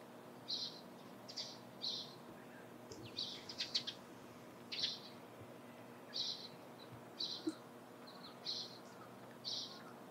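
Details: Dusky thrush near Lake Hamana, Japan, in early morning around 17 March, giving short, sharp, high chattering notes, singly or in quick pairs, about once a second, over a faint steady background hiss.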